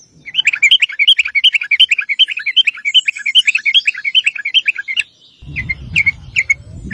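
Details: Sooty-headed bulbul chattering continuously as a lure for other bulbuls: a five-second torrent of rapid bubbling notes, then a few spaced chips with low rumbling noise.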